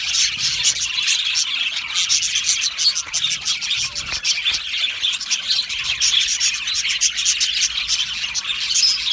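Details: Many Australian budgies in an aviary colony chirping and singing, producing nonstop high twittering and squeaky warbles that overlap densely, with slight swells in loudness but no quiet gaps.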